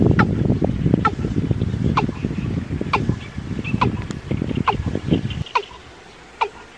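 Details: A Watercock (Gallicrex cinerea) gives short, hollow, dropping notes about once every second, nine or so in a row, over a steady low rumble of background noise.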